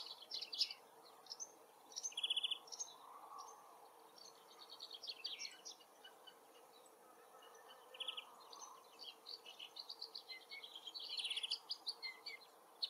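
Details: Far-off singing Woodchat Shrike in its forest habitat delivers a faint, varied medley of high chattering notes and brief buzzy trills, separated by quiet gaps.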